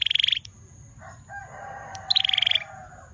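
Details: Male bar-winged prinia singing vigorously; two short, fast buzzy trills of rapid clicking notes, with softer lower-pitched sounds in the background between them.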